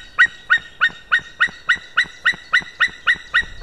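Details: Male white-tailed eagle giving a long run of yapping calls, recorded 15 May 2016 at 13:49: about twelve sharp, barking notes delivered steadily, roughly three or four per second, in a quiet setting.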